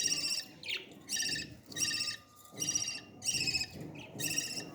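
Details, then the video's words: Parrot chick calling during feeding, giving rasping, buzzy bursts with stacked harmonics, each under half a second, spaced irregularly about once or twice a second over soft background rustle. "beautiful parrot 🦜 baby feeding"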